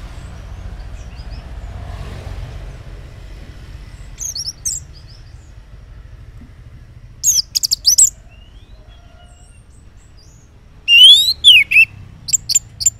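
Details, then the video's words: Orange-headed thrush singing in the morning, a lure so silent males reply: long quiet gaps broken by short bursts of sharp high notes, then a loud falling whistled phrase and a few clipped chips. "Cocok Buat Pancingan ANIS MERAH Ngeplong di Waktu Pagi Hari Yang Macet yang Bisu Kalo Jantan Nyaut.."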